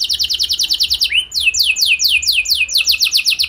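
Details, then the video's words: Canary song used as a lure to make other canaries sing: rapid repeated descending whistled sweeps in quick series, with a brief rising note near the middle, and a low steady hum underneath. "Langsung Gacor Dor Burung Kenari Mana Saja Dengan Pancingan Ini! Pasti Nyaut Ikut Gacor"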